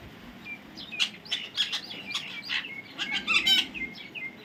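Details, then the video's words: Baby parrot giving a steady run of short, high chirps and squeaky notes, several per second, rising and falling in loudness, with a faint low background hum. "natural funny parrot sound"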